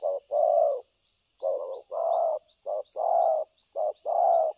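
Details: Cooing spotted dove used as a decoy for trapping, in the continuous thổ cấn sấm nước style: mellow low coos, each short note followed by a longer one, over a steady faint high-pitched ticking.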